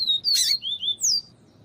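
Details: Yellow-bellied seedeater, viviti song with female call, used to stimulate male singing: a short whistle, a loud harsh chip, two lower sliding whistles, then a higher downslurred whistle, all within about one second.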